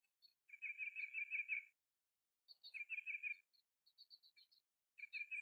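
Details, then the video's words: Kingfisher recorded in March 2023: a series of fast, rattling, high chattering notes in bursts of about a second, separated by silent gaps, with a few thin scattered higher chips between. "Kingfisher Bird-4K Video/Canon R7/100-400mm-Nature Bird Sounds-March 2023"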